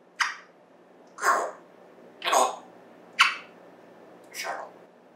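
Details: African grey parrot kept as a pet indoors, giving five raspy, breathy bursts about one per second, cough-like and noisy, over a faint room hum.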